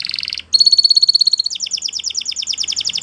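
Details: Spanish Timbrado canary song: a short burst, a brief pause, then a sustained high steady whistle, breaking into a rapid pulsing two-tone trill.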